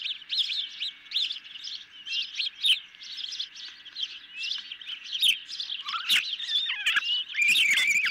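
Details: Ospreys at a nest are fed a medium-sized fish late on a July 2021 evening, picked up by a nest camera. A continuous stream of high, rapid, piping chirps grows busier and louder toward the end, mixed with scraping noises.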